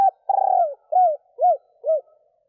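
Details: Spotted dove hen calling males with a rolling, tremulous long coo followed by three evenly spaced, soft, arched hoots that fade slightly; no other sounds.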